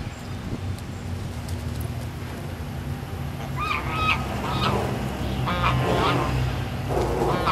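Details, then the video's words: Geese at a resort honking in a loose series of harsh, nasal calls that grow louder and more frequent in the second half, over a steady low hum of background noise. "geese 2"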